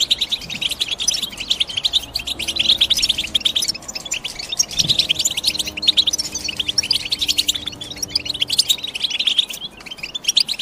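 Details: Chirping European goldfinch delivering a long, continuous stream of fast tinkling twitters and buzzy notes, steady throughout with faint low hum in the background.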